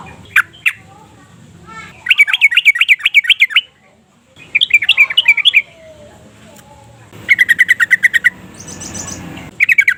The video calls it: Burung trucukan gacor uklik - uplik ngeplong